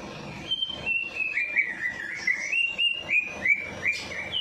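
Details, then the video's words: Bird singing steadily right after a night bath, meant to prompt lazy birds to sing; a long string of short whistled phrases, each a rising then dipping slur, about three per second. "Perangsang Burung Malas Bunyi || Habis Mandi Malam Langsung Cor Dor"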